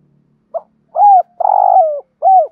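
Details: Caged decoy spotted dove's urging 'gù thúc' coo for luring wild doves: a short clipped note, a falling hollow coo, a long drawn coo sliding downward, then another arched falling coo.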